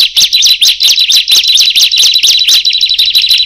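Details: Several bar-winged prinias, the ciblek, calling together after one begins: shrill, high, clipped chirps tumbling in quick succession, closely layered into a busy, insistent stream of notes.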